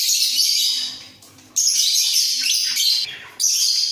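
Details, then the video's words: Two budgerigars in a breeding cage, bobbing their heads: continuous scratchy, twittering chatter broken by brief pauses, with a faint low hum underneath. "Sepasang Burung Parkit Gacor"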